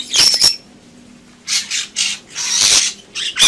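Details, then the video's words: Bali myna (jalak bali) singing in 'gacor' style: a brief whistled note with clicks, then a pause, then loud rasping, noisy squawk bursts and a final sharp click. "Suara Burung Jalak Bali Gacor"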